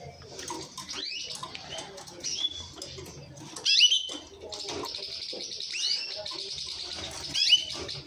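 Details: Orange mosaic canary giving loud, sharply down-slurred whistled notes spaced irregularly among softer high chirps, with faint rustling and low background murmur.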